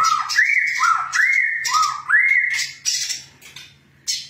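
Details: Female brown-throated sunbird singing actively: rising whistled slurs climbing from about mid pitch to higher, three times, mixed with sharp high chirps and a faint low hum underneath.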